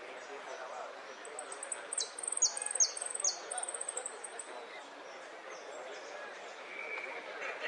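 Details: Saffron finch song of golpes, pitadas and prio: a quick high-pitched pulsed trill, overlaid with three clipped downward-sweeping whistles near the middle, the remainder a low hiss of background noise.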